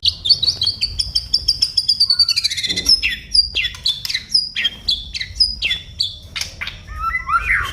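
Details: Song of an oriental magpie-robin: a long steady whistle over fast ticking notes, then a sequence of sharp chips and downswept whistles, ending in a short warble.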